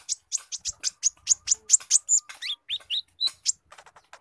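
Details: Spotted brown-throated sunbird song filled with squirrel imitation: a rapid, loud series of high chirps, roughly three per second, breaking into looping slurred whistles that dip and rise.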